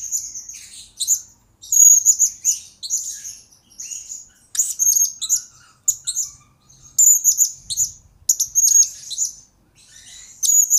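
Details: Blue-crowned hanging parrot song recorded as a lure and training master for other birds: bursts of shrill, piercing tweets and brief trills, repeated with gaps of around a second, steady high pitch throughout.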